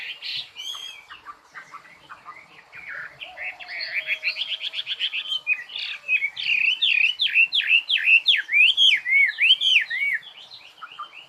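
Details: Long bird song that starts with scattered twitters, builds into a rapid chattering trill, then a run of repeated zigzag whistled notes before softening.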